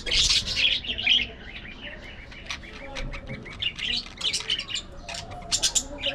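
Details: Budgerigars playing and squabbling, loud bursts of high scratchy chirps and squawks in irregular clusters, with quieter warbling chatter in between.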